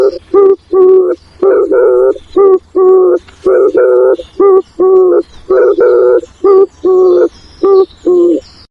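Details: Spotted dove cooing to call its flock, dense runs of short and longer deep coos following each other rapidly, with thin high bird twitters in the background.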